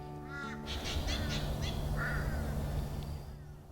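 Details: A Spangled Drongo hidden in dense foliage beside a boardwalk at Tinchi Tamba Wetlands, Queensland, gives a quick run of twangy, metallic notes, several each second, then a lower slurred note, over soft background music.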